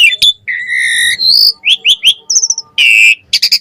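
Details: Asian pied starling song used to train birds: a long harmonic whistle, rising slurs in quick triplets, a brief high whistled flourish and a harsh raspy burst.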